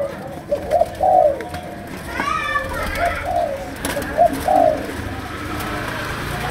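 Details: Malaysian spotted dove cooing in the chiêu gù, sấm đồng style, low husky phrases repeated among background voices and children's chatter.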